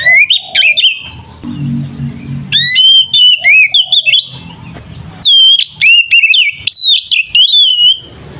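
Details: Oriental magpie-robin in ngeplong fighting song, meant to make other kacer emotional: repeated bursts of bright whistles and steep rising sweeps, separated by short pauses with a low rumbling background.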